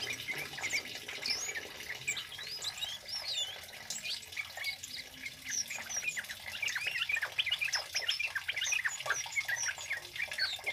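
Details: Loud male orange-headed thrush song in cabe-cabean and bunga api style, kept as a training tutor and lure; dense quick twitters and squeaky whistled notes tumble on steadily, louder toward the end.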